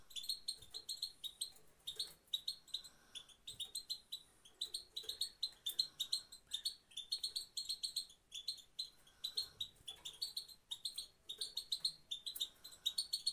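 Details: European goldfinch in Afghanistan, apparently a female, gives quick, high, tinkling twitters and chirps in rapid bursts, run together almost without pause, over a faint room hum; the sound is meant to motivate males.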